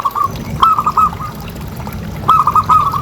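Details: Local zebra dove, described as a prolific caller with a big voice, used as a lure to prompt other doves to call: two bursts of soft, hollow cooing notes near one pitch, with a low background rumble.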